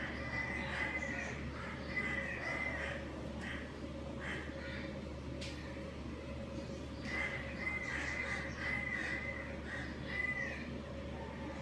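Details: Chirping from a breeding pair of budgerigars: thin whistled warbling phrases and scratchy chatter coming in bursts, with a pause mid-way, over a constant low hum and faint room noise.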